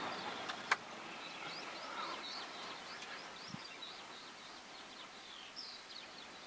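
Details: Greater short-toed lark (Calandrella b. brachydactyla) in the Crau, France, May 2018, giving a faint, steady run of short dry high chirps and twitters over soft open-country hiss with a couple of sharp clicks.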